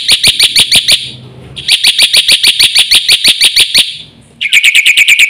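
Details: Chattering Black-winged myna in busy 'gacor' song packed with fill-ins, intended to stimulate and teach other mynas: quick runs of bright, high chips, with a pause before a final, lower burst.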